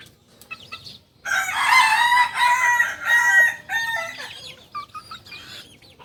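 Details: Kukuak Balenggek rooster from Solok, a native singing chicken whose crow rises in stepped tiers, notably at dawn; one long strained crow of about two and a half seconds breaking into shorter stepped segments, followed by fainter calls.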